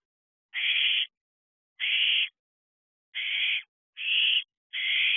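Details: Owlets at a nest box in the small hours of 29 June 2023: five rasping, hissy screeches of even length, spaced about a second apart.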